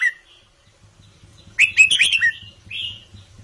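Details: Caged red-whiskered bulbul singing a quick, bright phrase of several warbled and whistled notes, then a single slurred whistle, with a low background hum throughout.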